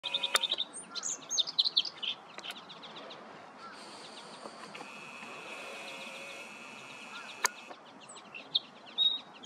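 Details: Song sparrow singing early morning, 7:30 am, sunny and cool, at Lower Sardis Lake, Panola County, Mississippi, on 19 November 2023: a quick run of bright chirps and trills with a steady high tone mid-song, other birds chirping behind.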